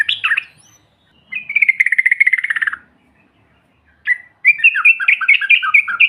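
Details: Yellow-vented bulbul chatter, used to make other birds respond: a short opening flurry, then a long, evenly pulsed buzzy trill, and after a pause a lively series of up-and-down whistled notes.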